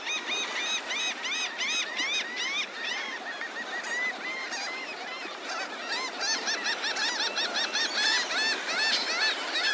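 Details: Many seagulls massed on a Naples, Florida beach at Delnor-Wiggins Pass State Park in the morning, giving rapid runs of rising-falling nasal yelps that overlap in a busy, unbroken chorus with surf hiss behind.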